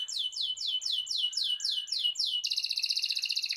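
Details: Canary song for prompting other canaries to sing: about nine clear downward-slurred whistles at an even pace, then switching abruptly to a very rapid, high buzzy trill.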